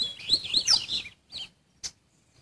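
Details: Adult male Double-collared Seedeater (coleiro) singing the Mateirinho song type strongly: a dense, rapid burst of high twittering, sliding notes lasting about a second, followed by a short chirped phrase and a single sharp click.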